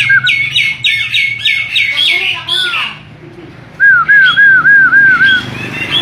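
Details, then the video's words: Starling singing a run of rapid, high repeated notes mixed with chattery phrases. After a short lull come six loud, whistled, down-slurred notes in a steady row, then softer high notes. "Burung Jalak"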